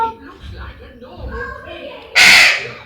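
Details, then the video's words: Pet ringneck parrot at home: soft, low murmuring chatter for two seconds, then a sudden loud, harsh, grating squawk that fades out. "Cute Ringneck Parrot Talking Conversation"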